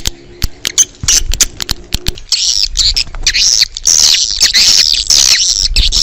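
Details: Swiftlet calls played outdoors to attract swiftlets: a few sharp clicks and a steady low tone at first, then dense, overlapping high chirps and twitters that continue without a break.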